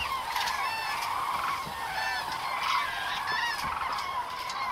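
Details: A large flock of common cranes (Grus grus) at Agamon Hula, Israel, in October 2012, calling together in a continuous chorus of loud, rolling, trumpeting bugles that overlap without a break.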